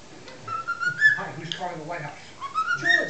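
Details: Six-month-old pet cockatiel, male, whistling imitated tunes, the Chocobo theme and Addams Family theme mixed into mashups: two clear whistled phrases of rising notes stepping upward, separated by a burst of lower chattering and background noise.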